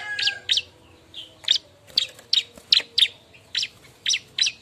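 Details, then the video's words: A noisy bar-winged prinia seeking a mate, used as a lure recording, gives a steady run of loud, sharp chips roughly every third of a second, each note a quick downward flick. "suara burung ciblek ribut nyari kawan"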